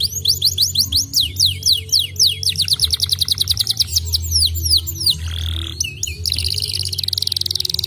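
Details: Canary singing to make other canaries sing: strings of fast descending whistled notes forming rolling trills, a low whistled pause, then a fast buzzy trill toward the end; constant low hum.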